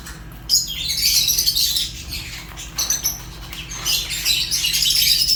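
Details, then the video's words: High, scratchy warbling chirps of Fischer's lovebird running in long, busy streams with squeaky notes, a short quieter gap in the middle, low hum behind. "African lovebirds chirps sounds | تغاريد فيشر غندور روز"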